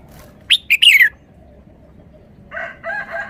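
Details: Caged red-whiskered bulbul giving one short, sweet three-syllable phrase of sharp chirped notes, then a buzzy, raspy chatter over a faint low background.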